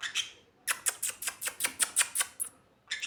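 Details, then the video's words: Sun conure indoors with two short calls, then a fast series of about ten harsh, piercing squawks before a brief pause and another burst. "Sun cheek conure"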